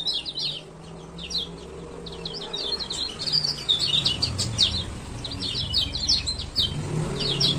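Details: Male Lemon-bellied White-eye from Lombok giving ciak-ciak calls used as a lure to set silent birds singing: dense bursts of high, sharp chirps and twittering trills in rapid irregular runs, with a low rumble of background noise.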